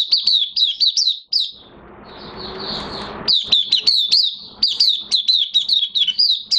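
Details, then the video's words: Caged Oriental white-eye in minor moult, singing openly, recorded 3 June 2022: rapid high, sharp chirped notes repeated about four per second, broken by a burst of broad hissing noise midway. "Mata Puteh Kitaro V1 buka sing in minor moult"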